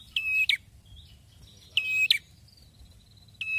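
A prinia gives loud, high, buzzy phrases, each ending in a sharp snap. They come in short bursts about every one and a half seconds over a quiet background.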